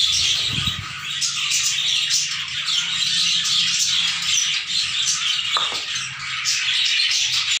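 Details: Sun conure colony at a pet park, many birds calling together: a continuous dense wall of harsh, high squawks and shrieks overlapping without pause, with a low hum underneath.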